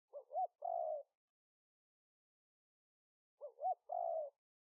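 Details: Decoy spotted dove recorded live in Roi Et province, Thailand, 2021, to call in wild doves: two matching phrases about three seconds apart, each a fluttering two-note coo and a held, gently falling coo.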